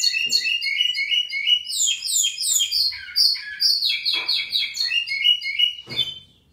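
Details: Local lined seedeater singing strongly: a rapid, dense run of bright, buzzy downslurred notes and twittering phrases, high-pitched and nearly continuous for about six seconds, with a few soft clicks in the background.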